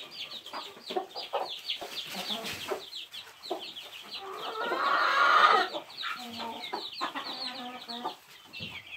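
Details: Young chicks beside their mother hen keep up a busy stream of short high-pitched peeps, many birds calling at once, mixed with low clucks and a brief louder rustling burst midway.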